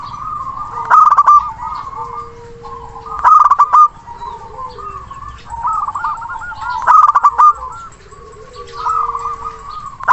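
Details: Local zebra dove in full voice calling a rival, a lure for birds that will not sing: loud staccato coo bursts about every three seconds, trailing into softer rolling notes, with a long steady whistle and other caged birds around.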